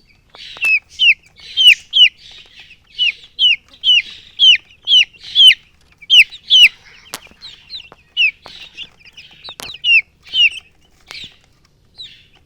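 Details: A baby chick peeping loudly and clearly, single high downward-sliding chirps repeated about twice per second over a quiet background, with a couple of clicks.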